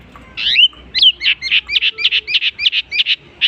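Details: Long-tailed shrike copying other species: a slurred whistle opens, followed by a rapid run of about ten clipped, down-slurred chirps at a steady pace.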